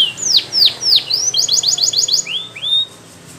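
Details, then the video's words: Belgian canary song used for training canaries: a run of loud, sweeping down-slurred notes, then a fast rattling roll of repeated high notes, ending with two rising whistles. A faint low hum sits beneath. "The Belgie Canary's Seduction for the Canaries to Stop Sounding"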